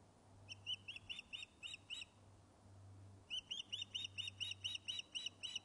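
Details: Osprey on its nest at Loch of Lowes, Scotland, giving fish-calling on return after being thought lost: two series of high, piercing, arched whistled notes, about seven then twelve, separated by a short pause, with a low steady hum beneath.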